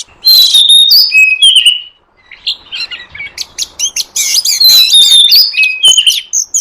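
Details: Wild forest oriental magpie-robin song used as a lure for wild birds: clear whistled phrases, some sliding and some flat, with quick chirps and a short pause midway before more varied, rapid notes.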